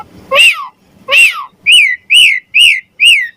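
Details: Song of a Javan pied starling, used to train other songbirds: six loud arched whistled notes, each rising then falling, spaced roughly every half second, the first two with lower side notes.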